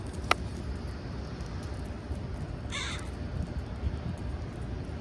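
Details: A single hoarse caw from one of a bunch of pre-roost crows at a schoolyard close to sunset, heard midway through a low, constant rumble of background noise.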